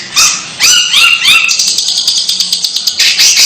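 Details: Long-tailed shrike giving an odd sound: three yelping, harmonic notes that rise then drop in pitch in quick succession, then a dense, harsh, high buzzing chatter that pulses steadily to the end.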